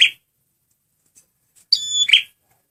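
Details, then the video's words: Male prenjak merah (prinia) singing as a lure: a tail of one buzzy note, then a brief pause before a bright, ringing high whistle that breaks into harsh chips. "SUARA BURUNG PRENJAK MERAH PEMIKAT GACORRR"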